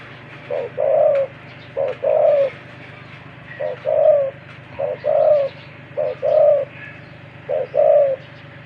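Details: Wild-caught spotted dove kept as a decoy, noted for its big voice, giving regular coo phrases: a quick double note followed by a drawn-out low coo, repeated steadily roughly six times with faint chirps behind.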